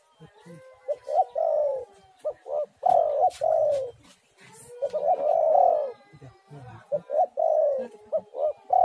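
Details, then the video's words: Spotted dove song used as a lure to get other doves singing: low, hoarse coos around mid-pitch in short phrases of two to four notes, several overlapping, with gaps between bursts and faint background chatter. "tekukur super gacor sekali putar langsung nyaut"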